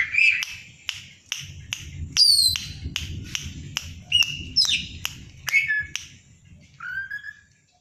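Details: Oriental magpie-robin, a loud, always-active fighter bird, in the excited konslet style, fanning its tail to provoke a rival after eating banana leaf caterpillars; sharp clicking ticks mixed with varied loud whistles, slurred rising and falling notes, faint low rumble beneath.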